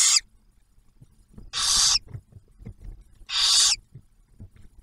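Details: At a barn owl nest near Oak Harbor, Ohio, the male delivers food and the female and first owlet share it. Three strong rasping hisses: one cut short at the start, then two full ones about two seconds apart.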